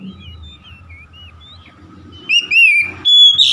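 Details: Oriental magpie-robin song: faint thin notes at first, then from midway loud, rolling whistled phrases, a steady high whistle and a harsh, scratchy ending.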